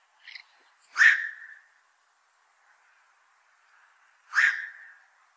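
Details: Black-crowned night heron, a heavy fish eater that troubles fishpond owners, gives a faint short note, then two loud, harsh, barking 'quok' calls about three seconds apart over a quiet background.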